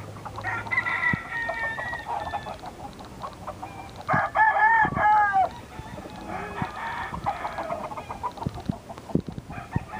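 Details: A few roosters at Poplar Hill crowing in turn. Brief hoarse crows overlap, with one strong, drawn-out, wavering crow in the middle and others answering from farther off over steady low farmyard noise.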